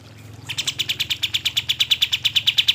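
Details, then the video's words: Kapas tembak bird in full song, used as a lure to make lazy birds sing: fast run of sharp, bright chipping notes, about seven per second, steady and unbroken after a brief quiet start, with a low hum beneath. "kapas tembak gacor cocok untuk pancingan kapas tembak yang malas bunyi"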